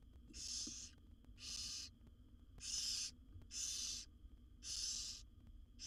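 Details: Young barn owls begging as their mother feeds the brood of seven in a wild nest box; six loud rasping hiss-screeches follow one another about once a second, fairly even in length, with faint low hum beneath.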